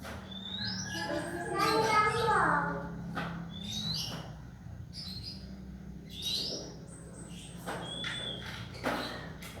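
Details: A young Oriental magpie-robin practises its song. Short high whistled phrases, some rising, repeat irregularly, mixed with a burst of lower voice-like sound early on and a steady low hum.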